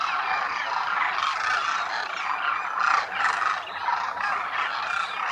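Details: Wintering Demoiselle cranes, locally called Koonj, gathered in thousands at a lake near Khichan village in the Thar Desert, Rajasthan, India; a dense, continuous chorus of overlapping rolling, croaking calls from a large flock.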